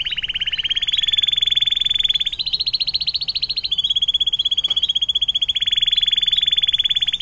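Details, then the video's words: Canary with a long 'air mancuran' (fountain water) song used to tutor other songbirds: loud, unbroken rapid trills across seven seconds, stepping up in pitch midway and then settling lower again. "KENARI DENGAN LAGU AIR MANCURAN PANJANG MANTAP BUAT MASTERAN"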